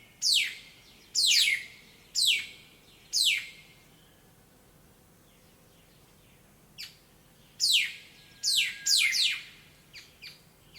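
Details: Around sunrise, birds gathered in a large black locust tree in town give loud, harsh downslurred chirps: four spaced bursts, a pause, then a denser cluster of calls.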